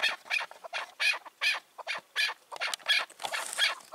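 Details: Hoarse, grating calls, about one every half second, from a wild chukar that goes to silence any other male it hears, recorded on an evening of 4 June 2023.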